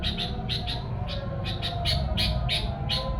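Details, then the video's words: Sooty-headed bulbul chirping, used to lure wild bulbuls; rapid short chirps, often in pairs, over a strong low rumble of background noise. "kicau kutilang buat pancingan kutilang liar"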